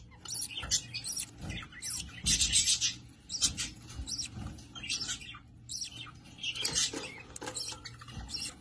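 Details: Budgerigars kept for breeding give scratchy, broadband chirps and warbled chatter in irregular bursts, the busiest run near the middle, with rustling and tapping cage noises throughout.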